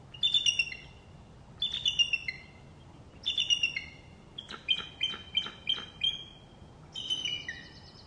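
A bald eagle gives high, thin, giggling chatters: bursts of quick piping notes that step downward, repeated every second or two, with a few sharper separate chips between.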